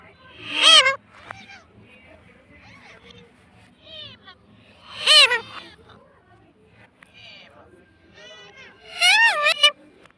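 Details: Talking pet parrot repeating "mummy": three loud, strongly harmonic, wavering utterances roughly four seconds apart, with softer chatter-like sounds and faint background noise between them.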